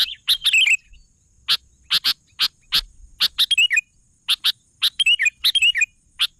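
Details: Sooty-headed bulbul singing busily, alternating single crisp chirps with rattling clusters of quick descending notes, several bursts per second in places, separated by short quiet spells.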